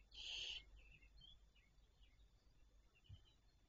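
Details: A single harsh, hissing screech of a barn owl, about half a second, on 26 May 2023 at 08:12, followed by a few faint high chirps over a quiet rural background.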